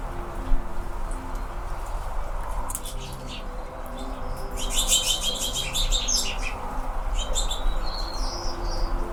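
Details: Anna's hummingbirds in California during fall give a dense burst of high, clicking chirps midway through, then several thin, sliding tweets, all over a continuous low hum of background noise.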